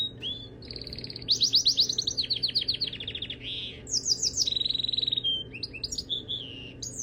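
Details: Canary singing a varied, high-pitched song of rapid rolling trills, bursts of quickly repeated notes and short buzzy phrases, with brief pauses between sections over a faint steady low hum.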